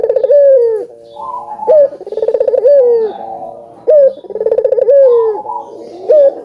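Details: Vigorously cooing albino collared dove (burung puter), played to stir other doves into calling; repeated phrases about every two seconds, each a short upslurred note, a rapid pulsed roll, then a smooth descending coo.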